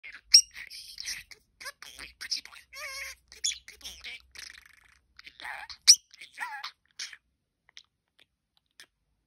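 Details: Pet male budgerigar having a stern talk to a pencil case, saying phrases like good boy and pretty boy; rapid scratchy chatter, squeaks and warbled mimicked words in bursts, fading into brief clicks near the end.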